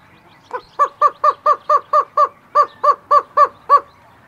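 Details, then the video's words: Greater roadrunner at the Desert Museum, Tucson, Arizona, in close-up, giving one song phrase: about a dozen hollow, dove-like coos, roughly four a second, at a steady low pitch against a quiet background. "Greater Roadrunner / CU Calls, One Song Phrase"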